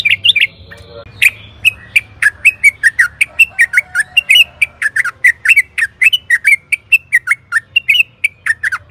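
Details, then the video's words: Sooty-headed bulbul lure song for training cage birds: a long, varied stream of clear whistled and slurred notes, roughly three per second, with a steady low hum underneath. "Pancingan trucukan gacor agar BUNYI jadikan BURUNG TRUCUKAN GACOR NYAUT EMOSI"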